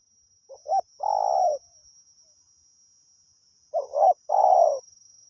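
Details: Two phrases from a wild spotted dove being lured with a decoy: short stuttering notes and then a long burry coo, with a quiet pause between. A thin high tone continues throughout.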